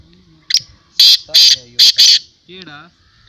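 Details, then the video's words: Black francolin (kala teetar) at a 2022 calling tournament: four loud, harsh, evenly spaced high bursts after a short clipped note, then a man's voice. "Black teetar voice tournament Black Francolin voice"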